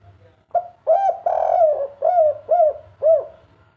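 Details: Spotted dove singing in the kuk 3 cooing style: one phrase of six low, mellow coos, the middle note long and drawn out, the last three short arched kuk notes evenly spaced, in a quiet setting.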